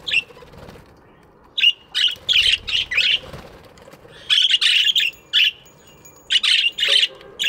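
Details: Budgies chirping in an aviary in the morning: rapid runs of loud buzzy chirps and squawks, with a brief flutter of wings, several birds calling together.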